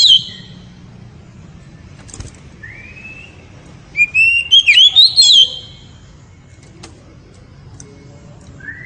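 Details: Oriental magpie-robin in ngeriwik song, described as very loud and exciting the female: a brief rising whistle, then a burst of rapid twisting whistled notes around the middle, with clicks and long quiet gaps.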